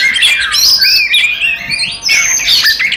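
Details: Provoking fighting song from an Oriental magpie-robin: fast mixture of rasping squawks and sweet upward-gliding whistles, quick irregular phrases packed tightly together with one brief pause midway.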